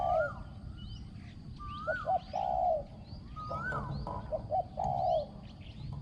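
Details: Spotted dove used as a decoy to lure wild doves, a bird with a small, ringing voice. Three low cooing phrases: short clipped notes leading into a drawn-out falling coo. Another bird gives rising-falling whistles in between, with faint high chirps.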